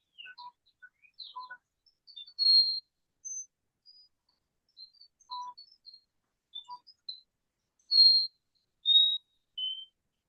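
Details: White-throated Sparrow, a numerous passing migrant: scattered thin, high chips and sharp notes, then several clear, sustained whistles that step down in pitch toward the end.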